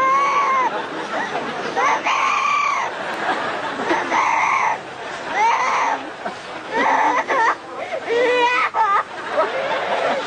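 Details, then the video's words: Parrot raised alongside a baby, imitating a baby crying desperately: a series of drawn-out, sobbing wails that rise and fall, about six cries over ten seconds with short breaks, plus a few harsh squawks near the end. "This Parrot makes sounds of baby"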